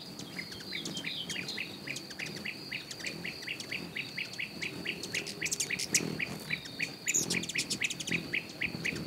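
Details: Berylline hummingbird, perched, gives a fast run of short, dry, down-slurred chips, about three a second, over a steady high insect whine.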